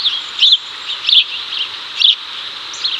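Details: Male house sparrow in Chicago, 2024, calling a female over as the pair hunts cicadas. Loud, sharp chirps come about every half second to second over a constant high buzzing hum.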